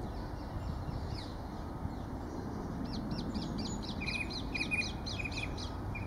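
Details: Song thrush singing in winter on 4 January 2019 at Kensington Gardens, London park; a run of short repeated high notes in the second half, over steady low traffic rumble.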